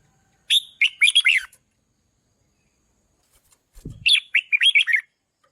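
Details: Red-whiskered bulbul, trained to sing loud to rouse decoy birds, gives two rapid warbled phrases of chirpy rising and falling notes; a soft low thump sounds just before the second phrase.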